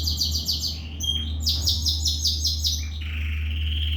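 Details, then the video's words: A canary sings rapid high trilled series of clipped notes, shifting phrase types, then a long steady whistle, with a constant low electrical hum beneath. "Kenari gacor"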